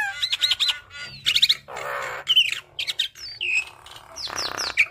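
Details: Javan myna (Acridotheres javanicus) master song for training young birds: a busy, varied song of rapid chattering notes, harsh rasping bursts, and sharp whistled phrases sliding up and down, tumbling without pause.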